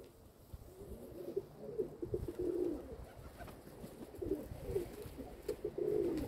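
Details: Quiet domestic pigeons murmur short, wobbling coos in two clusters, early and late, against a low hiss and faint background hum.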